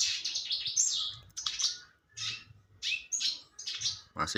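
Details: Red siskin singing in short bursts of high, fast twittering and buzzy chatter, broken by brief pauses, in a quiet indoor setting; a bird in full, vigorous song.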